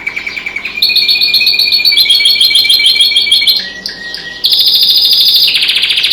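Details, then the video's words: Caged canary singing with other birds outdoors by a window: fast ticking notes, then loud continuous rolling trills in high bands, a brief lower chirping pause, and a piercing high trill to the end. "singing canary"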